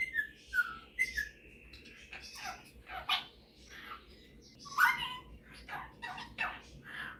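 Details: Male Superb parrot kept as a pet, singing and mimicking: two opening whistled slurs followed by a string of soft, breathy chattering syllables and one louder squeak.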